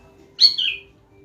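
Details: One clear grey-cheeked bulbul note: a sharp high onset falling into a smooth descending whistle lasting roughly half a second, set against a quiet constant background drone.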